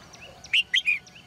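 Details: Female bird in a cage, singing in the morning: one bright, rapid triplet of falling chirps, framed by faint high twittering.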